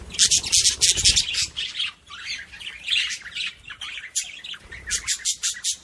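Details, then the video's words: Budgerigar chatter played to stimulate other budgies: dense, buzzy, scratchy warbling in rapid bursts, broken by short gaps, with a few clearer chirps near the end. "صوت بادجي لتحفيز طيور البادجي"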